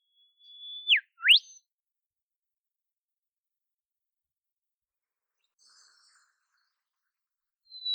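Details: Olive whistler singing in the wild in temperate Australian forest: a long steady whistle that drops, followed by a fast upward sweep, then silence until a high note begins at the very end.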